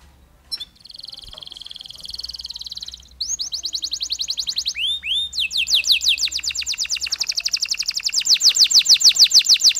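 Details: Canary with a long song broken by pauses, meant to stimulate other canaries: a sustained buzzy trill, a short pause, then rapid rolling tours of descending whistled notes that grow louder and faster toward the end.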